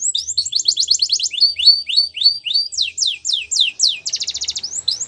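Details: Canary singing in the wild, a string of sweeping downslurred whistles repeated about twice a second, then rapid rattling trill segments, all high-pitched and clear against a quiet background.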